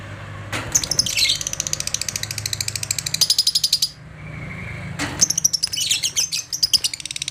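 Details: Agitated lovebird meeting another lovebird gives dense, rasping trills of high chirps in two long runs split by a brief gap, over a steady low hum.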